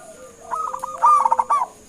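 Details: Local zebra dove giving a lure call to draw an answer: a brief string of short cooing notes rising into a louder, quick rolling phrase, over a steady faint whine.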